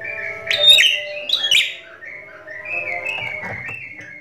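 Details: Javan myna giving two harsh, squeaky bursts, then a run of drawn-out, slightly wavering high whistles with odd phrases mixed in; its voice is so unusual it was thought to be edited.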